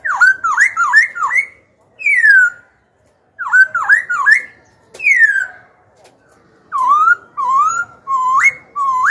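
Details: Young Black-throated laughingthrush kept as a pet sings to incite rival birds and train young birds: rapid runs of four hooked whistles, each run closed by a long falling note, then a set of rising slurred whistles.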